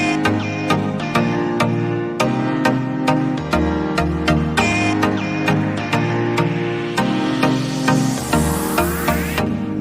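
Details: Only electronic music with a steady beat and layered synth tones is heard, with no bird or other animal sound.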